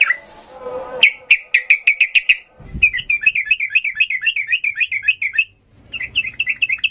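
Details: Yellow-vented bulbul singing in the energetic 'gacor emosi ngalas' style, used as a training recording for young birds: rapid series of bubbly, chirping notes, then a longer run of rolling, repeated phrases, with a brief low sound at the start.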